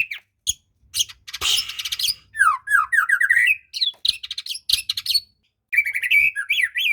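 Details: Singing white-rumped shama, played to encourage a reluctant bird, mixing a rasping burst, rising whistled slurs repeated in sequence, dry clicks and scratchy chatter, then warbled notes after a short gap.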